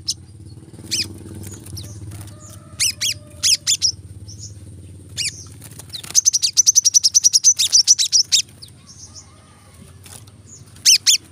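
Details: Brown-throated sunbird, used as training audio for caged birds, in scattered bursts of sharp high chips, then a rapid run of about a dozen evenly spaced notes near the middle, with a faint low hum beneath.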